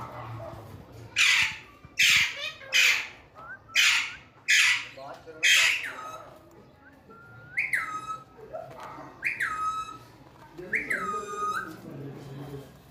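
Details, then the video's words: Pet talking parrot, said to speak Urdu or Hindi: five loud, harsh squawky bursts about every 0.7 seconds, then softer whistled notes that rise and drop, repeated four times, indoors. "talking parrot beautiful my parrot 🦜 cute voice in urdu hindi"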